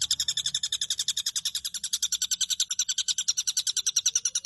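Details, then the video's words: Rapid, even series of high sharp notes from a long-tailed shrike, about three or four a second, sustained throughout, used as a tutor recording for caged birds. "Burung cendet gacor full isian cocok untuk masteran Dan Terapi cendet Macet bunyi Agar Gacor"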